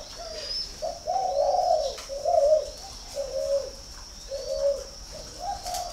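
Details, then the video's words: Captive-bred spotted dove from Ba Vì near Hanoi in northern Vietnam, calling a series of throaty, slightly rising coos, grouped in short phrases about one per second, with a steady thin high whine and faint chirps behind. "chim cu gáy hay 88 miền bắc"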